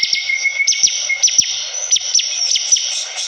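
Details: Bar-winged prinia singing actively, in a continuous rapid style called ngebren: a dense, high shimmering trill held almost unbroken, cut by quick sharp descending chips and a lower steady whistled note near the start.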